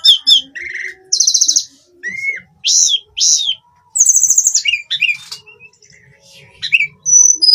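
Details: Daily song of a hill blue flycatcher: varied high phrases mixing buzzy trilled bursts, clear downslurred whistles and short chirps, separated by brief silences.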